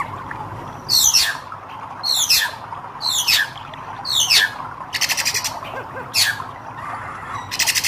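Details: Red-eyed hair-crested drongo in full, lively song: four harsh, steeply descending swept notes about a second apart, followed by buzzy, rapidly pulsed rattling phrases, with a constant low hum behind.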